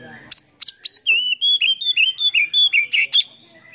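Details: Oriental magpie-robin (kacer) lure song packed with varied fill-in phrases, sung by a bird fanning its tail and cobra-posturing; a rapid run of clear, bright whistled notes, each bending up or down, following one another about every quarter second.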